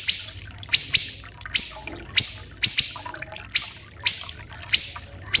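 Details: Common iora, called siri-siri kecil, said to be endemic to Sumatra and Kalimantan, sung as training material for captive songbirds. Loud high notes, each a sharp upward stroke into a sustained hissing tone, repeated roughly every 0.7 seconds over faint background water.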